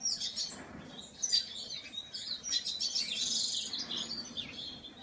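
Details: Painted bunting singing a high, thin warble of quick tumbling notes, continuous over several seconds, with a soft low background hiss.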